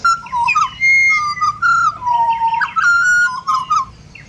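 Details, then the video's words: An Australian pied butcherbird carols a run of pure, flute-like whistles, some held steady and others swooping up or down, linked into a flowing melodic phrase. "BUTCHER BIRDS Serenade / Serenata de Pajaros Carniceros"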